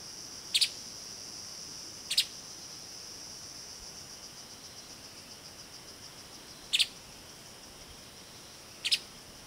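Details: Streaked spiderhunter in Kaeng Krachan National Park, Thailand, giving four sharp, brief, high chip notes at irregular intervals over a steady high insect drone.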